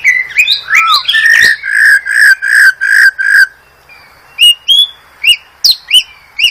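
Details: Master song of a White-rumped shama from Medan for training cage birds: a series of steady, full whistled notes repeated rapidly, then a pause, then higher clipped whistles spaced about every half second.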